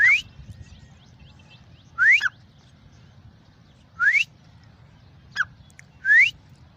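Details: Grey francolin (irani teeter) calling with loud upward-sweeping whistles roughly every two seconds, four in all, plus one short sharp note between the last two, over a low background hum.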